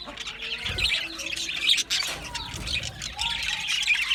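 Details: Budgerigars from Australia keep up a continuous busy warble of high chirps and scratchy squawks, several birds overlapping, with a brief dip in the chatter just before the two-second mark.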